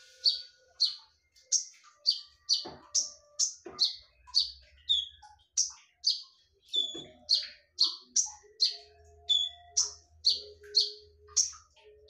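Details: Piercing konin lure song, rapid and relentless: about two crisp, high notes each second for twelve seconds, with occasional softer whistled tones and faint low rumbles underneath.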